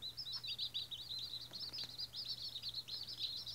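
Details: Newly hatched White Australorp chicks, first day, keep up an unbroken stream of high, piercing peeps in quick succession, with faint taps and a steady low hum behind.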